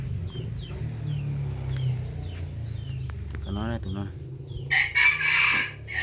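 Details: Domestic rooster crows loudly near the end with a harsh, sustained call. Before it come quick throaty clucks, while small birds chirp repeatedly and a low hum runs throughout.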